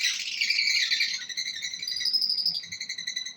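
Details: Breeding pair of lovebirds producing a steady stream of high, rapid twittering and trilling notes, slightly falling and softening over a few seconds.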